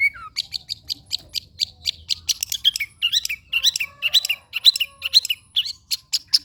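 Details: Long-tailed shrike song used to train birds: clean series of short, sharp chirping notes, about two per second, varied and slightly twangy, with little background noise.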